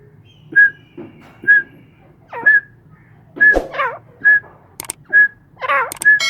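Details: Captive grey francolins calling: a sharp whistled note repeated about once a second, alternating with looping, warbled notes from another bird, over a low steady hum.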